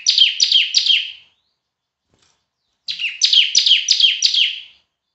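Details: Loud semi-gacor ciblek, or bar-winged prinia, recorded as master song for tutoring other birds. Two bursts of bright, high, down-slurred chirps, three notes then five, rapidly repeated, separated by a pause of about a second and a half.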